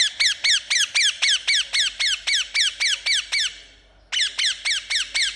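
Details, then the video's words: Pet Indian ringneck parakeet giving a rapid run of harsh, descending chirps, about four per second, a pause near four seconds, then the series resumes at the same pace. "Amazing Chirping Sound Of Parrot"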